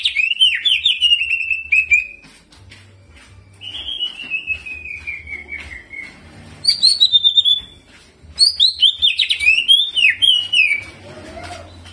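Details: Singing cucak ijo (greater green leafbird) in lively jamtrok style with imitated ciblek phrases and rolling: several bursts of rapid, falling, buzzy notes separated by short pauses, ending in sharp up-and-down slurred chirps.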